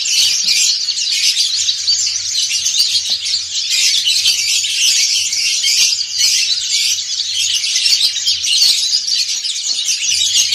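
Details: Massed white-eyes, dakun and montanus, singing ngriwik together, an intense, seamless chorus of very high, fast twittering and chirping lasting throughout, loud and unvarying.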